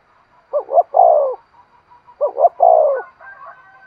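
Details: Spotted dove giving a spirited 'thúc' coo used to excite decoy birds and train lure birds: two phrases, each two short hooked notes then a long, falling mellow coo, with faint thin tones afterward.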